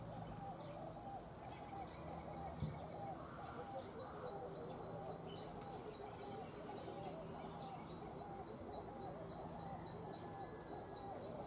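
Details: A Western red-billed hornbill (Tockus kempi) in the Gambia gives a long, steady series of low, hollow clucking notes, with faint high ticking and background hiss throughout.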